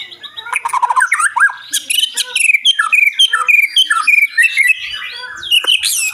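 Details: Caged white-rumped shama, known locally as murai batu, singing a rich, abundant song with much fill-in: rapid varied whistled and trilled phrases sweeping between low and very high notes, with short buzzy and chattering notes in quick succession.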